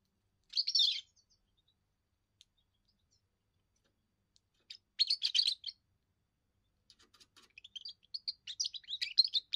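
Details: Young European goldfinch in its first song, meant to warn rivals off its area and attract mates: two short twittery bursts separated by silence, then a longer run of rapid, sliding chirps.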